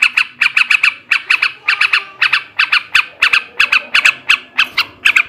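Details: A male yellow-vented bulbul sings ngebrem ngekek garuda song, meant to stir breeding: buzzy, grating notes delivered in tight clusters of two to four, regularly spaced across the whole stretch.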